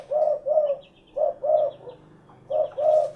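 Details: Derkuku, or spotted dove, delivering paired low coos, a shorter note then a longer one, repeated roughly each second, while faint thin chirps of other birds sound in the background.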